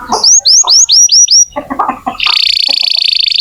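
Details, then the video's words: Canary singing to encourage young or silent canaries: six clear rising-then-falling whistled notes, some softer chirps, then a high fast rattling trill to the end. "Kenari gacor untuk pancingan kenari muda atau macet bunyi"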